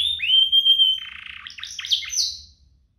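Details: Canary song from a pair of singing canaries, used as a lure to get canaries singing and as tutor song for young canaries: a long steady whistled note held about a second, then buzzy tumbling trills and chirps fading away.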